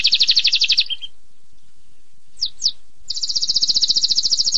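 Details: Canary singing: a rapid high trill ending in a lower note, a quiet gap with two short descending chirps, then a fresh fast rolling trill building in loudness.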